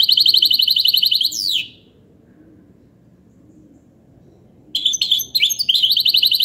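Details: ['Hybrid goldfinch song: a loud, even, buzzy trill ending in a sliding downward note, then silence, then renewed jingling, twittered phrases with sharp chips.']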